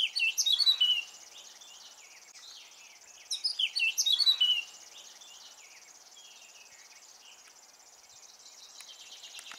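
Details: A Eurasian blackcap, a grey bird with a black cap singing on a branch by the Volma River at Smilovichi, Belarus, on 21 May 2022, gives two short, rich, fluty warbling phrases about three seconds apart, over a steady high hiss.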